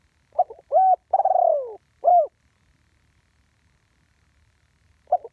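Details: Spotted dove recorded live in the ground-decoy style, giving a stuttered opening, a short arched coo, a long wavering coo sliding down, and a final clipped coo, then a lone note after silence.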